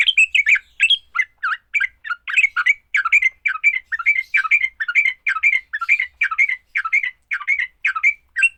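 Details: Fighting song of a sooty-headed bulbul, used to make other bulbuls sing: dense, fast chatter of short bright notes with brief downslurs, delivered without pause for over eight seconds in a quiet setting.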